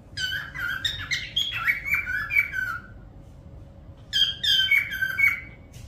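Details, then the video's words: Parrot making rapid, rasping, chattery notes mixed with whistled slides, a long burst, a pause, then a second shorter burst, with a low steady hum behind. "parrot sound whistling"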